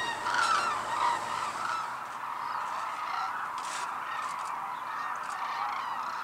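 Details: Hooded and White-naped Cranes at Arasaki Crane Center, Kyushu, Japan, in a rare snowy landscape; a dense flock chorus of overlapping trumpeting calls, loudest in the first two seconds, then a steady murmuring wash of distant calls.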